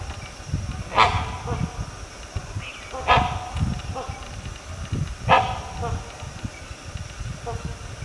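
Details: Great hornbill giving loud, harsh, nasal barking calls, three strong barks roughly two seconds apart with fainter echoing notes between, over a rumbling low background noise.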